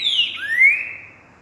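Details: Green-winged saltator, trinca-ferro, giving part of its boiadeiro song, recorded 28 January 2020: a high whistled note slurring downward, then a clear rising whistled slur, ringing out over a quiet background.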